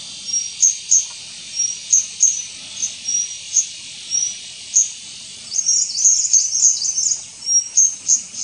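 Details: White-gorgeted flycatcher (subspecies leucops) at Doi Ang Khang, Thailand, on 24 March 2017, giving very high, thin, sharp notes about every half second, clustering near the end, over a steady hiss of insects.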